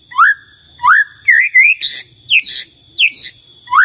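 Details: White-rumped shama, with other shamas joining in, gives clear whistles that each swoop upward, spaced about half a second apart, then several sharp, high, bright notes.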